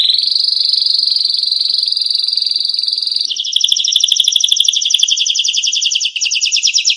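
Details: Canary singing on a tutor recording for songbirds: a long, even, buzzy rolling trill for about three seconds, then a switch to a faster pulsed trill with brief breaks.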